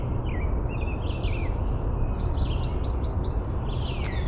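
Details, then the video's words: Tennessee Warbler singing in forest during spring migration in May 2025: high, dry chipping notes in quick series that speed up and step higher, over a steady low rumble of wind or distant traffic. "That's a good example of what the Tennessee Warblers sound like."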